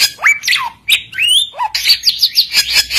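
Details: Oriental magpie-robin in energetic full song, used to call rivals into answering: rising whistles, slurred downward notes and a scratchy run of rapid chirps repeated about every quarter second.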